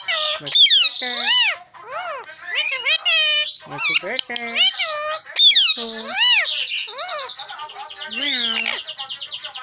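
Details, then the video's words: Green tame parrot in a long stream of mimicked speech, many short arched syllables in quick succession, sharp high squeaks, a sustained buzzy whistle midway and a low drawn-out vowel near the end. "Green Parrot NonStop Talking"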